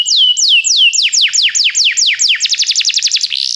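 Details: Belgian canary singing, meant to stimulate other canaries to sing: a run of downward-sweeping whistled notes, slowing then quickening into a rapid trill, ending in a buzzy note.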